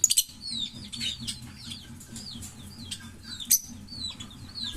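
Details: Pair of green Fischer's lovebirds chirping and singing, a steady stream of high thin squeaky notes that rise and fall, broken by sharp clicks and a few louder chirps.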